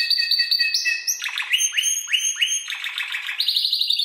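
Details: Young Spanish Timbrado canary, seven months, tutored on electronic timbrado recordings: held whistled tones step upward, then a run of downslurred notes, closing with a rising rapid trill.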